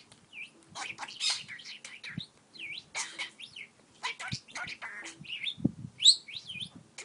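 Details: Pet parakeet flirting with a stylus, chattering with a bit of cussing and lots of talking: dense bursts of scratchy warbles and sharp chirps, with soft low tapping and rustling underneath.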